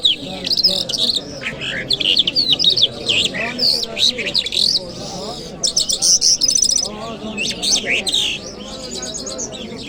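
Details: Lark, called Jal Mashhadi, singing in Kabul on a Friday morning: a rapid, varied run of high chirps, slurred whistles and buzzy notes in bursts, with brief pauses, over a low murmur of background voices.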